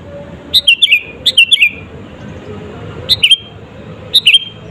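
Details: Sooty-headed bulbul singing in lively form, a lure song meant to provoke rival birds: four short bright phrases of quick chirped notes, each dropping slightly, spaced about a second or more apart over a low background hum.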